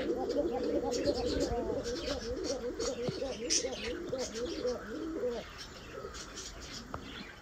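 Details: Several domestic pigeons, including American German show pigeons, coo together in low, rolling, overlapping phrases, with a human voice faintly behind.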